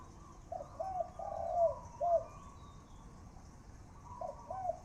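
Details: Captive male spotted dove, a keeper's main decoy bird, calling early on an overcast morning: mellow, hollow coos, a quick run of four notes, a pause, then two more, over a faint steady hiss.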